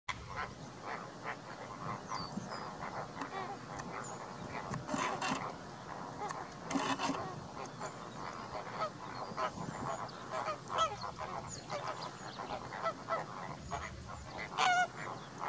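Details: Greater flamingos calling: a dense chorus of goose-like honking and grunting calls overlapping continuously, many birds together, with occasional higher squeaky notes.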